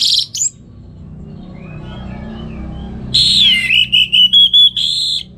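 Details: Orange-headed thrush in morning song at home in North Bali, Indonesia, recorded as a tutor for training other songbirds; a high note, a pause, then a descending whistle and a string of short clear whistled notes.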